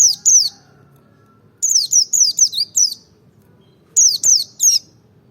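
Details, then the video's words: Merapi white-eye song in ngalas dobel style, meant to stir other birds to sing: clusters of three to five sharp, high, falling notes, separated by short silences. "pancing emosi pleci merapi ngalas dobel buka paruh 100℅ ikut bunyi"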